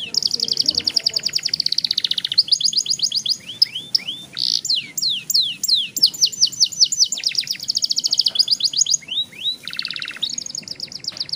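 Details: A young canary kept in a cage sings a long rolling song that prompts other young canaries, extended rapid trills and rolls, swooping whistled notes and fast repeated chips.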